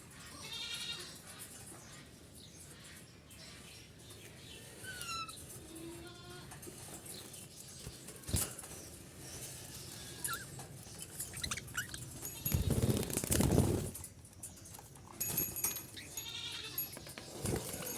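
Budgerigar giving nasal, buzzy chirps and scratchy chatter in short bursts.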